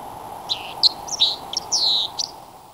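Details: White-throated dipper song: a scattered series of short, high, scratchy and whistled notes with a few brief buzzy strokes, over a steady rushing background like running water.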